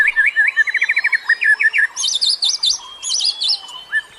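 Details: Birdsong played as a lure for other birds, a fast run of wavering whistled notes followed by higher, buzzy, zigzagging phrases, with several singers possibly overlapping.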